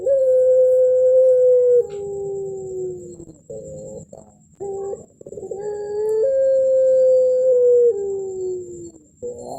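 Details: Puter pelung dove, a contest champion, in the melung style with a thick tail: two drawn-out level coos that sag downward, with brief choppy pulsed notes between them, plus a faint steady hum.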